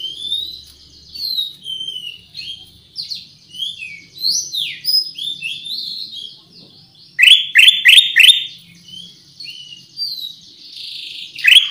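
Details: Lure song of a Black-crested bulbul, Pycnonotus melanicterus: quick, varied high whistled slurs and chirps, rising and falling, broken by a loud rapid cluster of sharp repeated notes midway and a final strong note.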